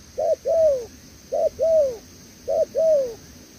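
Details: Spotted dove in the 'đèo lò xo' coo style, newly caught wild bird: three even pairs of a short note and a long downward-sliding coo, clear and strong.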